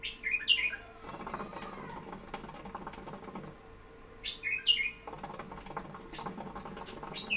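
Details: Pet bulbul singing short liquid whistled phrases, a quick cluster of slurred notes heard twice about four seconds apart, between stretches of rustling and clattering noise and a constant low hum.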